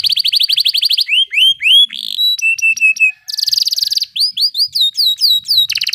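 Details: Canary song built from changing tours: a rapid roll, slurred whistles, short clipped notes, a steady tone, a dense buzzy burst and sweeping upslurs, each phrase about half a second to a second long.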